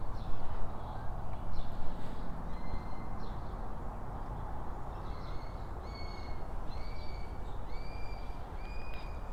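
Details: A young hawk at a hawk-eagle nest in Sydney at sunrise gives a monotonous, high-pitched whistle, each about half a second and slightly rising, repeated every second or so, signalling it wants to come into the nest.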